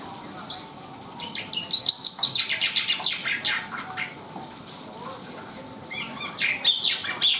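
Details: Black-winged myna in vigorous song, a fast chatter of harsh, buzzy and scratchy notes mixed with brief high squeaks, coming in dense bursts with short pauses between them.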